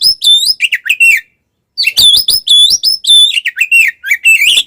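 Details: Oriental magpie-robin (kacer) singing a fighting-style song, called tarung konslet, used to provoke other magpie-robins: loud, clear whistled notes that slur up and down, repeated in quick phrases, with a brief pause midway.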